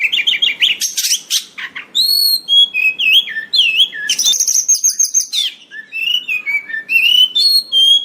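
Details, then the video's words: White-rumped shama singing a loud, varied song of clear whistled phrases, rising and falling notes, quick chirps and buzzy trills, shifting pitch every half second or so, continuous with short gaps. "Suara Kacer Gacor"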